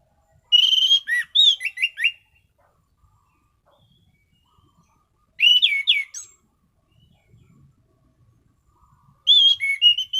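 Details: Orange-headed thrush, called anis cendana, a bird kept for daily and competition use, sings in steady full voice: three bursts of rich, varied whistles about four seconds apart, each lasting roughly a second, with quiet gaps between.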